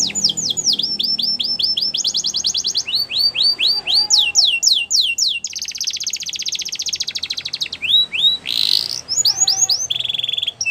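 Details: Belgian canary in full song, rolling through series of repeated high slurred notes, rattling trills and a long dense buzzy passage, with brief harsh noise and a steady whistled tone near the end.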